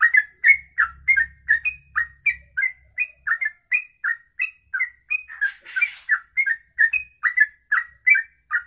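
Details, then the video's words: Bird singing a ropelan in one breath for more than two minutes; a run of rapid whistled notes near three per second, clipped and bright, with a low rumble early on and a brief scratchy noise midway. "Inilah Ropelan Sekali Nafas 2 menit lebih"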